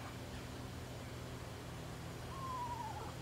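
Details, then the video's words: On 14 November 2018 at Presque Isle State Park, Erie, Pennsylvania, with the leaves gone, an Eastern Screech-Owl gives a single soft, falling whistle lasting under a second, over a steady low background rumble. "Eastern Screech Owl Call"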